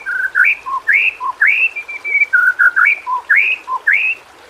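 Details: White-rumped shama (murai batu) masteran, a tutor song for non-singing birds: melodious whistled phrases, each a low note followed by a rising upslurred whistle, repeated about every second.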